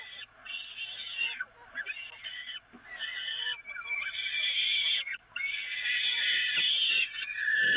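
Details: Peregrine falcons calling at the Evoluon nest as food arrives on the grating, May 2018. Harsh, wavering wails swell and fade in irregular stretches, with a high faint whistle early on.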